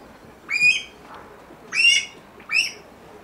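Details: Elliot's pheasant (Syrmaticus ellioti) at a pheasant breeding farm gives three short, high, squealing calls that rise then dip, spaced about a second apart, against a quiet background.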